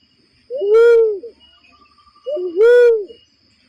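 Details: Trapping lure sound of a barred cuckoo-dove: two resonant hooting calls roughly two seconds apart, each opening with a quick rising note and then holding a steady, mellow, slightly dropping tone, in a quiet setting.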